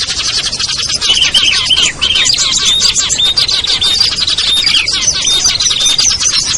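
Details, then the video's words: Recording for luring small birds such as ciblek, kutilang, trucuk, sogon and perenjak: a loud, dense wall of high tweeting and chattering with repeated brief whistles, nearly unbroken except for one short dip early on. "SUARA PIKAT BURUNG KECIL burcil AMPUH"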